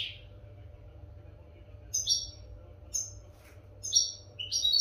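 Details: European goldfinch singing for the training of caged goldfinches: a few crisp, very high chirps spaced about a second apart, the last note rising, over quiet background hum.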